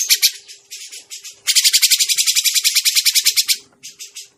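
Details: Grey-cheeked bulbul call played as a trapping lure: short bursts of harsh chatter, then a long loud rapid rattle of buzzy notes for two seconds, followed by softer scattered notes.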